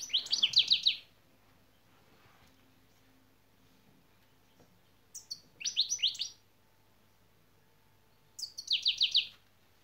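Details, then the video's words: Training lesson of European goldfinch şak şak song: three separate bursts of rapid, high, clipped notes, each under a second long and spaced about four seconds apart, against a quiet background with a faint low hum. "saka kuşun da şak şak nedir öğrendik."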